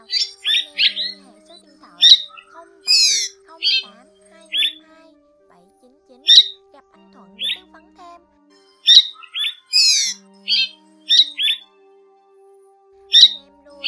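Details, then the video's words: Striated swallow flock-calling recording used for netting swallows: short, high, nasal chirps and twitters in irregular bursts every second or so, over a faint low steady hum. "Tiếng Én Bụng Rằng , Nhạn Rằng"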